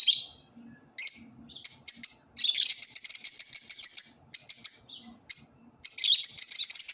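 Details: Lovebirds singing, a dense run of shrill, squeaky chattering that fills long stretches, broken by brief pauses and sharp high chirps.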